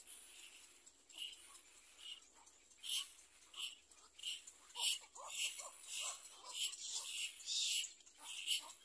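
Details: Little black cormorant at the point of feeding its young: a series of short, high squeaky calls with brief downward slurs, repeated roughly every half second in irregular bursts, against a faint hiss.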